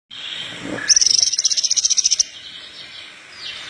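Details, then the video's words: Horsfield's bush lark song used to train other larks to sing: a short rising note, then a fast, even trill of high, piercing, repeated notes lasting over a second, followed by quieter background. "Branjangan parva gacor pas buat pancingan branjangan bahan"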